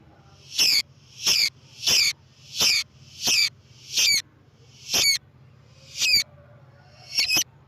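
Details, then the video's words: Lovebird in full chattering voice, played to lure other lovebirds: shrill, harsh high chirps repeated about every two thirds of a second, eight bursts, over a low steady hum. "MEMANCING BURUNG LOVEBIRD DENGAN SUARA BURUNG GACOR"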